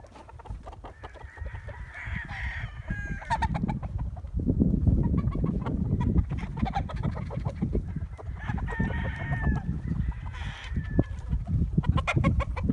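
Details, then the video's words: Rooster crowing amid a flock of chickens: two drawn-out, slightly wavering crows around two to three seconds and eight to ten seconds, with rapid clucking and heavy low rumbling noise throughout. "Wake up to the sound of chickens and roosters crowing"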